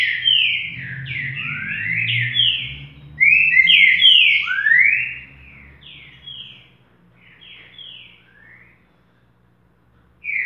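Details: Green-winged saltator singing in the boca mole song style: rich, slurred whistled notes strung into quick phrases, loud at first, then softer with gaps, and a fresh note at the very end; a faint low hum runs beneath.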